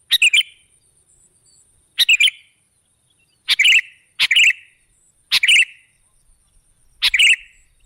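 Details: Sooty-headed bulbul song used to lure birds: six bright, bubbly phrases of two or three fast notes, spaced unevenly one to two seconds apart, with a faint steady high hiss.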